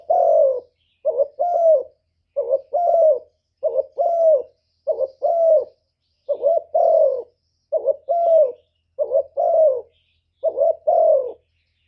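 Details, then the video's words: Decoy spotted dove's lure call for attracting wild males: about ten evenly spaced double coos, each a short note then a fuller descending coo, repeated steadily at just over one per second. "CU gáy Mồi Cực hay hạp bổi thúc gù bổi ghét, tiếng chim cu cườm, cu đất"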